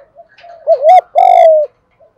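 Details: Spotted dove coo used to provoke captive wild-caught doves to answer and fight: a quick bouncing note followed by one long, strong, steady note that slides slightly down, with faint coos at the start and end.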